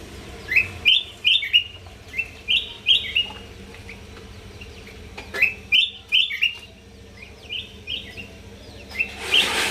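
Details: Sooty-headed bulbul (kutilang emas) from North Sumatra singing in full voice as a training master song: short bright whistled phrases of three to four notes, mid-high and slightly descending, repeated every second or so with brief pauses, plus faint clicks and a low background hum.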